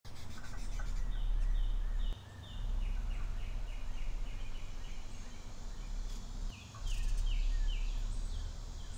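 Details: Carolina chickadees eating nuts and seeds at a backyard feeder in North Carolina, giving quick runs of short, high, slightly falling notes over several seconds, behind a heavy low rumble of wind or handling noise.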